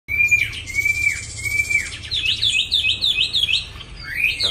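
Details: Caged Chinese hwamei for sale, kept by a local owner in a small cage, singing very readily: repeated downslurred clear whistles, then a rapid series of bright looping notes and chattering phrases, with low hum in the background.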